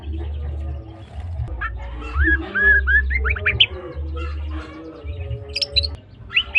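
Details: White-rumped shama, a spotted Medan bird, singing: rising and falling whistled phrases and short slurred notes, growing louder midway, with high sharp notes at the end over a steady low hum.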